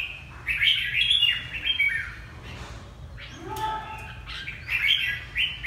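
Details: Vietnamese red-whiskered bulbul from Ha Tinh giving chattering warbled phrases at the start and end, with a quieter middle containing a brief tonal whistle-like sound; steady low hum in the background.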